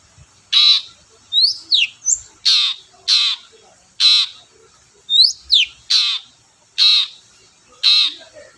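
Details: Long-tailed shrike giving loud harsh rasping notes, used as a lure to provoke shrikes that rarely sing: about ten grating squawks, some single, some in quick pairs, with short downward whistled slurs between.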